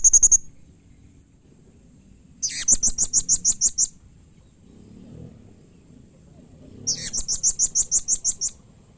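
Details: Blue-crowned hanging parrot response-provoking call: a short high note, then two separate strings of roughly ten rapid shrill chips each, spaced several seconds apart, with soft low background noise between.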